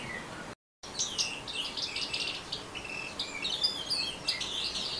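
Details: Orange-headed thrush singing in the fast chattering ngeriwik style: a dense, continuous run of high, twittering and scratchy notes with quick slurred whistles, briefly cut by a short silent gap near the start.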